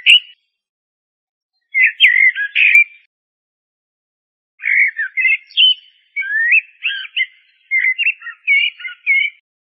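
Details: Common blackbird song broken into choppy bursts of warbled whistles and chuckling notes, a short phrase then a longer jumbled run after a pause.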